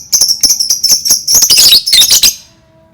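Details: Lovebird chattering nonstop with a dense run of piercing, high, squeaky chirps and trills for over two seconds, then falling quiet.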